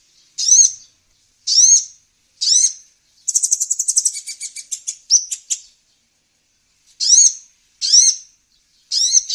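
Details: Lure recording of the kolibri ninja sunbird: evenly spaced high arched whistles about once a second, interrupted by a two-second fast buzzy trill, then a pause and more whistles.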